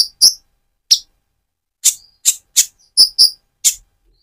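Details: A mottled Van Hasselt's sunbird, moulting to metallic feathers, sings to stimulate another bird: widely spaced sharp high chips and a few thin whistled notes, loud and dry.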